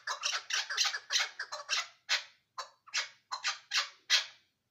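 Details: Chukar partridge recorded at Ishkoshim: harsh, scratchy bursts crowded together at the start, then spacing out into separate loud rasping notes with short gaps between them.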